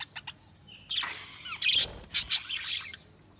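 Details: Chirping budgerigars give a few soft ticks, then a run of bright, harsh chirps and squeaky notes in uneven bursts before fading to quiet.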